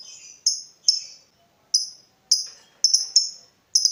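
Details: Lovebird used for training other lovebirds: high, sharp, downslurred chirps given singly and in pairs at uneven intervals, with short gaps between.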